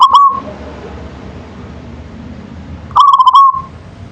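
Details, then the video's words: Zebra dove, a local bird singing in manggung style, delivers a clipped coo trailing off, then after nearly three seconds another run of fast clicks and a wavering, drawn-out trilled coo, with faint background noise. "Suara Perkutut Lokal Manggung"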